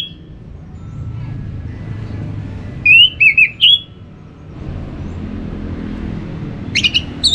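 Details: Caged orange-headed thrush from North Bali sings two brief bursts of bright whistled notes a few seconds apart over steady low traffic-like rumble. The song is used to encourage other thrushes to sing in the morning or under the cage cover.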